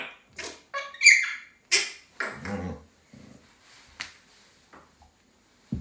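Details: Pet African grey parrot indoors making sharp, harsh squawks and short clicking bursts, loud and irregular, some shrill and some lower and rough, separated by brief silences.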